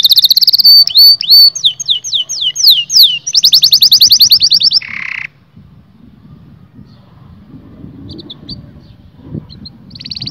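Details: Canary song meant to stimulate males and females to mate: rapid trills of sweeping high whistled notes, repeated buzzy rolls and a harsh burst in the first five seconds, then near silence with a few faint high notes returning at the end.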